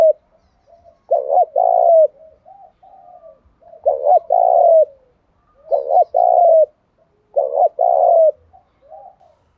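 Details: Decoy spotted dove giving 'thúc gù' cooing to draw in wild doves: low phrases, each a quick double coo then a longer drawn coo with a dropping end, four phrases roughly every two and a half seconds, soft murmurs between.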